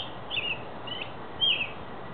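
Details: Robin singing: three brief, clear warbled phrases spaced about half a second apart, fairly faint against steady background hiss.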